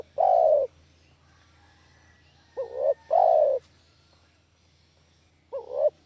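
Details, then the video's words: Lure call of a village spotted dove: a long, rough coo, then a short upswept note leading into another long coo, with the phrase restarting about every three seconds against a faint low background hum. "SUARA MASTER PIKAT DERKUKU KAMPUNG"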